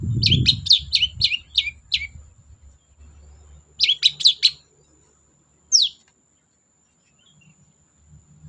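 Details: Long-tailed shrike lure song in 'gacor dor' style for silent cendet: a run of six evenly repeated scratchy down-slurred notes, a short cluster of three more, then a single high descending squeal; low rumble at the start.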